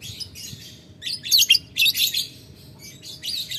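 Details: Lovebird calling out to a rival with the long 'ngetik ngekek' chattering style: harsh, buzzy, high chattering bursts in several short runs, loudest through the middle, with brief quiet gaps between them.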